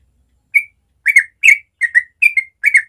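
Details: Yellow-vented bulbul, ropel-style morning song for teaching young birds: a string of six quick chirpy phrases, each one or two slurred whistled notes, roughly every half second.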